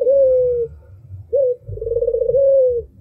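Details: Albino dove singing, its voice described as sharp and melodious: a long, steady purring coo, a pause, a short clipped note, then a rolling, trilled coo that ends in a smooth drawn-out tone.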